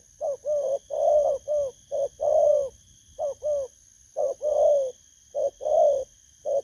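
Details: Spotted dove, wild-caught, calling in the 'bầu' style for luring, 19 August 2024; short coos alternate with longer warbled, rolling notes in uneven groups, moderately loud, faint constant high hum in background.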